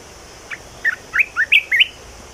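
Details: Single strophe from a red-whiskered bulbul singing a new song: six short, lively whistled notes rising and falling in quick succession, delivered within about a second, with faint background hiss.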